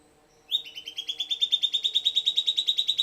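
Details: Silvered antbird (Sclateria naevia) singing: a rapid, even series of sharp notes near the top of the range, about three per second at first then speeding slightly, rising a little in pitch after a short introductory note; otherwise quiet background.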